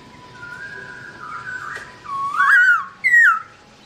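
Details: Black-throated laughingthrush (Garrulax chinensis) singing while its owner is away: a long level whistle, then two loud whistled notes that rise and fall, each rich with overtones.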